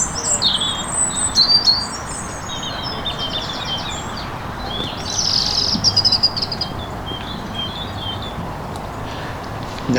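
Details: A European robin sings from high in a tree beside a reedy lake at Longton Brickcroft, where blackthorn is in blossom. It gives thin, high, tinkling phrases with short pauses, over a steady rush of background noise.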